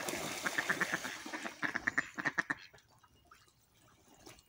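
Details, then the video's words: Ducks feeding and fighting give a run of harsh, nasal quacks, several a second for about two and a half seconds, then fade to quieter splashy sounds. "Ducks feeding, quacking and fighting"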